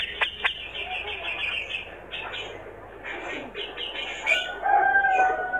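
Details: A male Grey-cheeked Bulbul gives lively, rapid chatter of mixed notes, then a few clear, sliding whistles near the end, over a low background hum.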